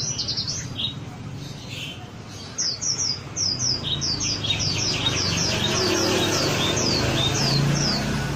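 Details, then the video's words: Lure song of a wambi bird for prompting other birds to sing: quick, high, repeated chirps in small bursts, faint at first, over a steady low hum and background rumble. "Suara pancingan burung wambi agar cepat gacor"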